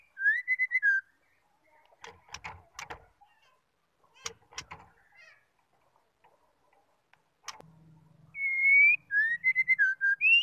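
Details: Female white-rumped shama call used to rouse males into song: short whistled bursts at the start and a long whistle with quick notes at the end, with knocking sounds and a low hum between.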